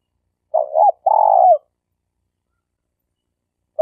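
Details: Spotted dove, a lure bird used for trapping, giving a low mellow cooing phrase: a short double-inflected coo followed by a longer steady coo, then silence before the next phrase starts; clean recording with no other sounds.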